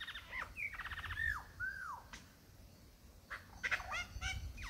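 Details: Stumbled upon in the Dandenongs, a male lyrebird impresses a female: buzzy trilled phrases with falling whistles, a pause, then quick chattering notes and a final hooked whistle.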